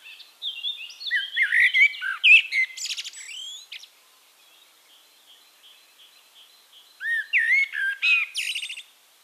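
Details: Eurasian blackbird recorded in Castricum, the Netherlands: a long fluty warbling phrase ending in high squeaky notes, a few seconds of near silence, then another short whistled phrase with a thin twittered tail.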